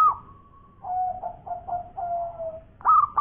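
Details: Local zebra dove cooing in the koar-koar style: a held whistle-like tone, then a series of five short, lower, rolling coos trailing downward, ending with a loud coo burst.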